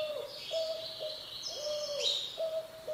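A green-winged saltator's song: high whistled strains that rise near the end, with a low, hooting note repeated about every half second beneath.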